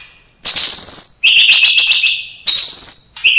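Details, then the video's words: Caged white-rumped shama singing with imitations: loud high trill bursts alternating with slightly lower, rattling trill phrases, shifting pitch every second or so. "Murai batu isian cililin greja tarung love bird kenari"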